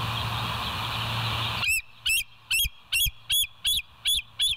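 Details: Bald eagles at the West End nest cam, 28 August 2023, 07:02. Loud broadband hiss for under two seconds, then seven crisp, high, squealing notes in a regular rhythm, about one every third of a second.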